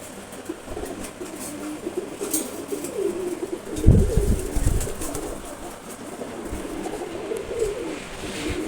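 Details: A month-old Maxi Racer pigeon chick gives soft, low, murmuring coos throughout, broken midway by loud handling or wing-flapping thumps, over steady background hiss.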